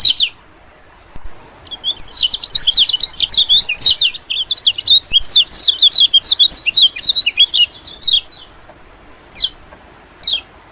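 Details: Attracting call of white-eyes used as a lure: after a quiet start, a long run of rapid, jumbled high chirps and trills, ending in scattered single sharp notes over a faint steady hiss.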